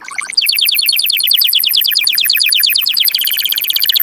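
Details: Canary song used to excite males and females for breeding: a continuous rapid high-pitched trill, evenly pulsed and bright, held for several seconds.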